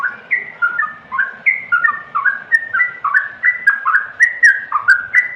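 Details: Yellow-vented bulbul delivering mellow whistled notes that glide down and then lift again. The phrases are strung closely in a busy, babbling rhythm.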